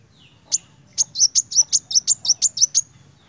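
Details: Kolibri wulung sunbird in full narung voice: a single sharp chirp, a short pause, then a steady rattle of about twelve high, piercing notes roughly six per second.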